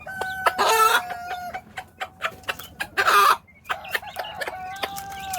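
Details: A hen calls her chicks to feed: drawn-out, even tonal calls alternate with two loud, harsh squawks and quick clucking. Faint high chick peeps are heard throughout.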